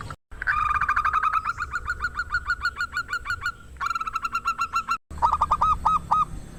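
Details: Singing local zebra dove, a loud lure bird meant to stir rivals into song: a rapid series of clipped cooing notes with a long steady trill, a short break, then slower hooked coos at the end.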